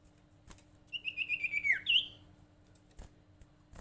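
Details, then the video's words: Sirtu bird call used as a lure for other sirtu or cipow birds: a rapid series of short whistled notes ending in a downward slide and a brief twisting note. "suara panggilan sirtu paling ampuh bikin sirtu atau cipow lain rajin bunyi"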